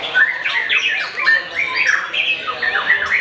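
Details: Young Oriental magpie-robin, not yet a winner, singing ahead of the Ramadan fast-breaking: a steady series of short, bright, up-and-down chirped notes repeated several times a second.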